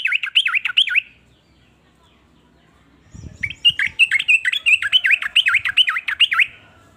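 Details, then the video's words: Sooty-headed bulbul singing a varied trucukan song said to make rivals sing along; a short burst of swooping chirps, silence, a faint rustle, then a long run of quick dipping notes. "ber macam" suara trucukan ini bikin trucuk lain iri jadi langsung ikut bunyi"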